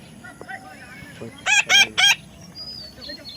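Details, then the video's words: Baby parrot squawking three times in a tight, harsh burst, with faint short chirps and clicks before and after in a quiet setting. "natural funny parrot sound"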